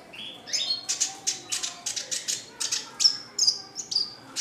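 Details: Red siskin, a classic-type bird described as singing constantly, produces a rapid series of sharp high chirps, about two per second, ending in short piercing whistled notes.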